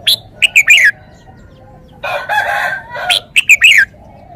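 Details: Red-whiskered bulbul singing short, quick phrases of three or four bright whistled notes that slide downward, given twice, with a harsh, noisy, drawn-out sound between them and a low background hum.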